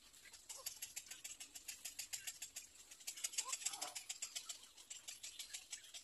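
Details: Little egret chick in its nest, giving a rapid run of dry, clicking, chattering pulses, about three or four a second and fairly steady throughout, with no other clear sounds.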